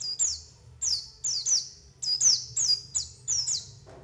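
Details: White-eye lure call used to attract wild birds into opening their beaks and for trapping, a bird-trapping recording: high thin notes sliding downward, about nine in four seconds, some doubled, with faint low hum beneath.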